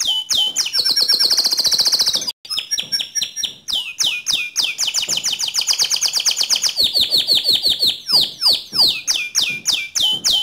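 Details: Canary in a song recording meant to train other canaries, from Indonesia: rapid trills and rolled tours between 2 and 8k, long buzzy rattles, downward-sweeping whistled notes repeated about three per second, one brief break.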